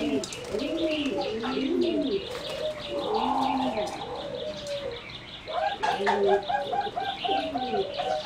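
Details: Several singing zebra doves bred for competition call together in a flight aviary on 30 April 2014, layering rippling, arched coos nonstop, with a burst of rapid repeated higher notes and busy chirps from other birds.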